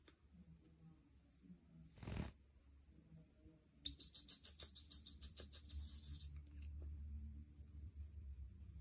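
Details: Goldfinch song as a burst of about two seconds of rapid, high twittering notes. A loud, brief rustling clatter comes before it, with a low rumble throughout.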